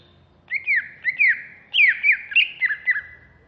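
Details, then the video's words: Agitated greater green leafbird from Alas Purwo, a caged bird described as ready for contests, giving a run of slurred, downward-swooping whistled notes about twice a second, some overlapping, over faint background hiss. "Cucak Hijau Alas Purwo Ngamuk"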